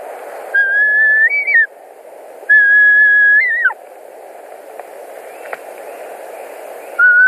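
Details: White-tailed eagle at a nest in Latvia on a July 2019 evening, screaming heavily as an adult arrives for a short visit: long, steady, high whistled notes, each about a second, ending in a rising wavering flourish, two in a row, then another begins.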